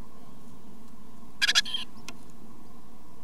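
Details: Great tit (Parus major), begging calls: chicks begging for food from parents.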